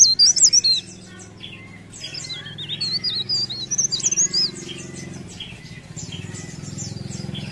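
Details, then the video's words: Leaf warbler in active song: short bursts of high, squeaky, wavering notes from the start and mid-clip, set over a steady low hum. "Cikrak daun Gacor"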